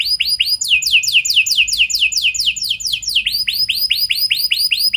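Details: Canary lure song meant to set other canaries singing, in an ornate, long-delivery style: runs of quick downslurred whistled notes that shift tempo twice, slowing into a measured series, then quickening into a tight repeated phrase.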